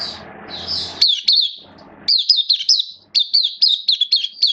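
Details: Caged oriental white-eye in a Singapore songbird hobby setting, recorded 11 September 2022 as it opens up in song: bright, high, down-slurred chips strung into rapid twittering runs after a brief noisy start.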